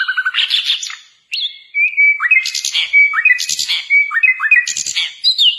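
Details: Sikatan londo flycatcher singing vigorously, used as a tutor recording for training captive songbirds: varied rich phrases of sweet rising whistles, buzzy bursts and quick chattering notes, with a long steady whistled tone linking the phrases and a brief pause early on.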